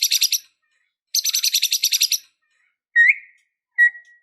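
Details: White-rumped shama in an emotional, fighting mood, giving a fill-rich song: two fast rattling bursts of harsh, high repeated notes, then two lower, clear, slightly rising whistles.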